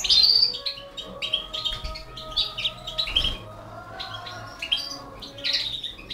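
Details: Balkan goldfinch feeding four canary chicks; scattered high tweets and squeaks, louder at the start, then irregular chirps with short gaps and a soft thump.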